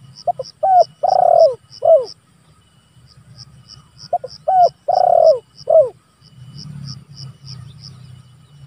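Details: Spotted dove calls used to lure rivals and train birds: two repeated phrases of clipped hoots, a long mellow coo and a falling final note, three seconds apart, with steady ticking insects and low background hum.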